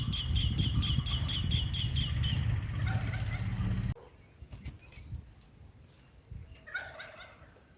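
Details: Baby bulbuls in the nest, four days old, beg while being fed: rapid, high, thin chirps with lower overtones for about four seconds, then a sudden cut to quieter rustling and a few faint chirps.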